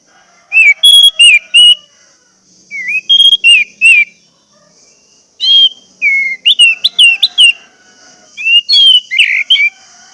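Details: Orange-headed thrush (Geokichla citrina) song used to prompt other thrushes to sing: loud, clear whistled phrases slurring up and down, in quick bursts of three to five notes with short pauses.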